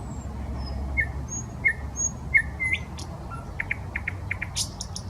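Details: Nightingale song from a park along the Smolenka, Saint Petersburg: soft high whistles, then a run of repeated short whistled notes followed by a series of rapid clicks and a harsh burst, with steady low background hum.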